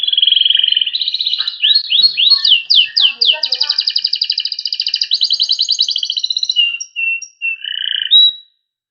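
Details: Panda Loper canary in full cengkok rapat song: a held buzzy whistle, a string of sweeping slurred notes, a long fast rattling trill, then scattered short whistles before falling silent.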